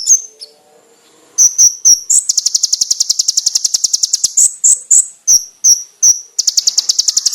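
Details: Konin master song for training cagebirds, loud and clear with sharp bursts: a brief high whistle, then clipped high chips that break into a long fast buzzy trill, with single sharp notes in between.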